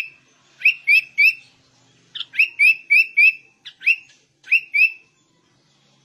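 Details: Sooty-headed bulbul in ngegaruda-style song, groups of two to four crisp rising whistled notes separated by short pauses, each note sharp and clear.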